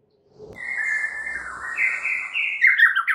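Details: White-rumped shama lure song, full isian, meant to prompt other birds to sing: a sustained scratchy warble, stepping higher in pitch toward the end into brighter squeaky notes.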